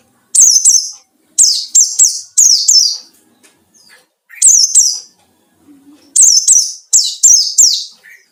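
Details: Forest-caught white-eye song meant to draw in competing birds: piercing high, downward-slurred chirps delivered in tight runs of three to five, separated by brief pauses, with a quiet low note near the end.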